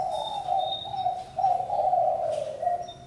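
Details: A spotted dove gives low, rounded coo notes in two main phrases. A thin high whistle from another bird runs through the opening second.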